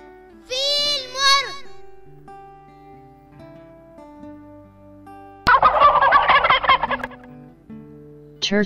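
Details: Turkey gives a fast, rattling, throaty gobble lasting about a second and a half, after a spoken word, over soft background music.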